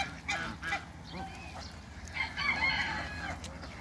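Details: An African goose, a domestic swan goose, kept in a backyard with Muscovy ducks, gives loud, harsh honking calls, several in quick uneven succession, with other poultry calling and clucking in the background.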